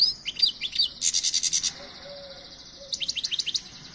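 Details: European goldfinch whistling: quick liquid twittering notes sliding down, then a loud buzzy rapid trill of about ten pulses, a quiet pause with faint low tones, and a final run of bright repeated twitters.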